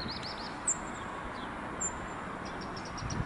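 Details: A Cirl bunting at the Château de Saumur, France, in somewhat windy weather gives thin, very high 'zit' calls, two clear ones about a second apart, with faint short notes between, over a steady background rumble.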